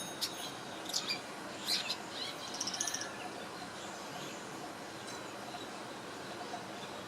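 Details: Swiftlet-like bird in Singapore, 2017, chirping while preening: a few sharp, very high chirps in the first three seconds, ending in a short rapid twittering burst, followed by only steady background hiss.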